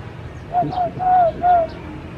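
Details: Tame zebra dove cooing: four soft, pure, low notes in quick succession, each slightly falling, the third the longest, over a quiet background hum.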